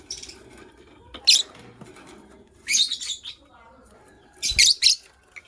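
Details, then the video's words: A pair of white lovebirds in the morning gives shrill, harsh chirps in three short bursts, the second and third doubled, with quiet background hum between them. "White LoveBird Chirping Sounds"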